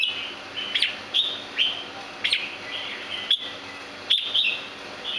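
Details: Red-whiskered bulbul of the rare Santa Claus variety, kept at a breeding farm, giving short bright chirps and slurred whistled notes in quick bursts roughly every half second to second, with a steady faint high hiss in the background.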